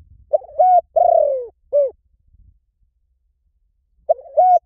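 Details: Spotted dove, a lure recording, giving loud, clear coos: a burbling note, a long falling coo, then a short hooked coo, repeated after a pause; faint low thumps between phrases.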